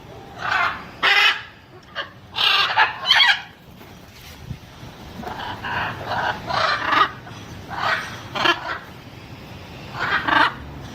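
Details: Macaw giving loud, harsh, raucous squawks in short bursts, several close together, then a quieter stretch of rougher calls and a final pair of squawks; faint background hiss.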